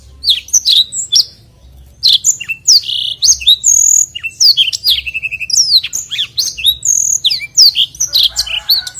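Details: Black-throated canary delivering a long, lively rolling song for bird training: dense stream of high chirps, whistled slurs and brief rattles, with a short pause near two seconds, then continuous rapid phrases.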